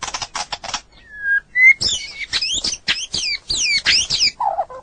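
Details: White-rumped shama song from a long-duration training recording for other birds: bursts of dry rattling notes, then a clear slurred whistle, followed by a run of fast, sharply descending whistled sweeps and low warbled notes at the end.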